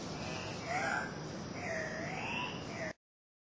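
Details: Two male Andean cock-of-the-rock (ssp. saturata) displaying at a lek in Manu NP, Peru, 1 August 2005, giving two nasal, squealing calls, a short one then a longer wavering rise-and-fall, over a steady rushing hiss.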